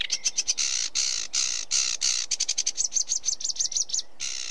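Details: Sedge warbler song: a fast, scratchy chatter of high notes that turns into a run of repeated whistled, looping phrases near the end, with brief pauses between bursts.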